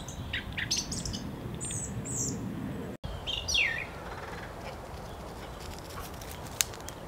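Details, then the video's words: A song thrush sings short, bright whistled and chirpy phrases, some sliding downward, with brief pauses between them over a low rumble of wind. "Song Thrush singing"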